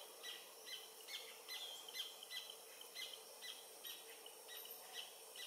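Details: Singing adult Paradise jacamar, Galbula dea dea, French Guiana near the Comte (Oyak) river, 8 November 2023, 11:00: a lively series of sharp, high whistled notes repeated roughly twice a second, slightly uneven, with a constant insect chorus underneath.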